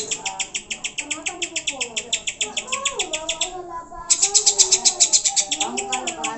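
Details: Greater green leafbird provoking song for caged birds: long runs of rapid high chirps near four per second, a short gap, then a louder run, over lower sliding whistles from other birds.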